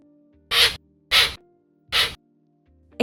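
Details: Hoatzin, a bird of Amazon swamps, gives three harsh, wheezy hisses, each about a quarter-second long and under a second apart, over a faint steady musical tone.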